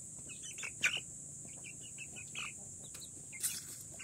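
Indian ringneck chicks give soft, short raspy chirps, a few each second, over a steady high hiss, with a couple of sharper clicks.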